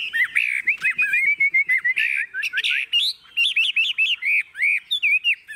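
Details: Tame caged Chinese hwamei singing as its cage is rocked: loud, rich whistled phrases with quick up-and-down slurs, repeated notes and bright rising whistles in fast succession.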